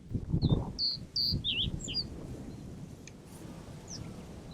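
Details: Common reed bunting in summer breeding plumage with a jet-black head, singing a short phrase of about six thin, high, chirped notes in the first two seconds, then faint single notes, over low rumbling wind noise.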